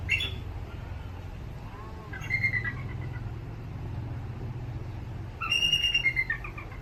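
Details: A captive adult female bald eagle (Haliaeetus leucocephalus) at Santa Barbara Zoo, with an injured left wing, gives three bouts of thin, high, piping chatter, each a quick run of squeaky notes falling slightly at the end, over a low steady rumble.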